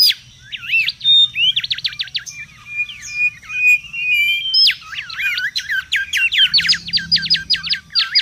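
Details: Wild mangrove whistler giving a lively, busy song: quick runs of sharp down-slurred whistled notes, short level whistles between them, then a rapid even series of repeated notes near the end; faint low rumble beneath.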